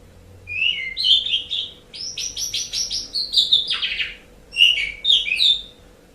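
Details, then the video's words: Song of an Asian pied starling for pet-bird tutoring: chattering notes give way to a fast series of rasping pulses, then a falling buzzy sweep and a few clear whistles, with a background hum. "Suara Burung Jalak Suren"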